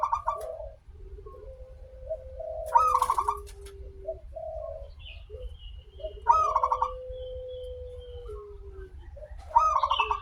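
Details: Local zebra dove singing with a long opening phrase, played as a lure to get other doves singing: bubbly trilled cooing bursts about every three seconds, joined by long steady low tones, over constant low-frequency rumble.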